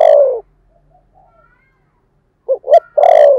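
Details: Caged decoy spotted dove with a 'thổ' voice style, kept to lure other doves, giving deep mellow coos: a long falling coo, then a pause and two short clipped notes leading into another long drawn-out coo.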